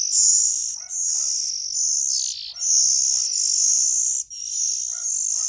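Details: Nestling Oriental magpie-robins keep up an almost unbroken, loud, high hissing chorus of long rasping calls with only tiny gaps.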